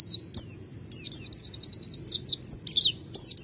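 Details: White-eye (Zosterops) singing continuously: a rapid run of high, thin descending whistled slurs and twitters, closely repeated with brief pauses, over a faint low hum.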